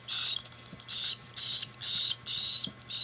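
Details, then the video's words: Cockatiel begging while hand fed: buzzy rasps repeated about twice per second, six in a row. "Cockatiell Hand feeding 2025"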